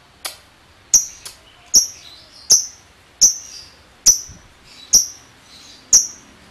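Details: Lovebird calls from a lure meant to set other lovebirds trilling ngekek: a series of sharp, high, clipped chips with short descending tails, roughly one every second, with a few softer chips between them.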